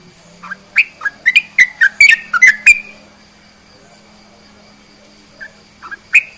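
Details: Sooty-headed bulbul song used to provoke other bulbuls: burst of quick whistled notes for about three seconds, then near silence with a low steady hum, before a few more notes at the end.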